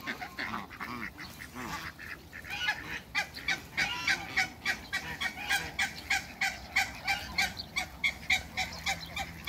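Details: African geese in a backyard kept with Muscovy ducks honk in a quick, broad, nasal series of about three calls a second. Other fowl may be mixed in.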